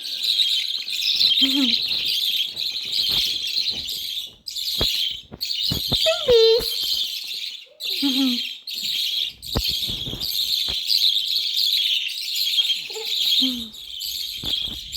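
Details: Budgerigar (Melopsittacus undulatus), begging calls: hungry chicks begging for food.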